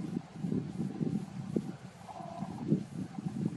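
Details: Eurasian woodcock on passage in the Warmia-Masuria area of Poland gives its "snoring" call: low, rough grunting croaks in quick irregular bursts, with no other calls.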